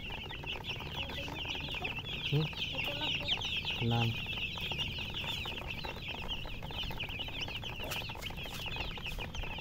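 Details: Chickens with a hen, a dense chorus of high, rapid overlapping chirps running steadily throughout, with a few lower, louder calls breaking in near the middle.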